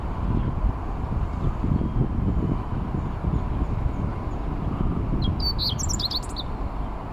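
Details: On a riverbank on 29 May 2021, a meadow bunting sings as a cyclist passes. Steady low rumbling noise fills most of the recording, then near the end comes one brief burst of high, clipped, tumbling notes.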